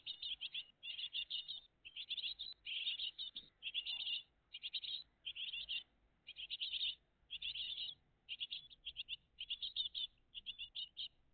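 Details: Great tit family at the nest in early morning, June 2023: about fifteen evenly spaced bursts of high, rapid chirping notes, each lasting around half a second, with near silence between.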